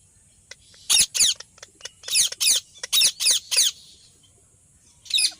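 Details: Ringneck parrot screeching harshly and repeatedly, a rapid run of about eight raspy calls followed by a pause and one more screech.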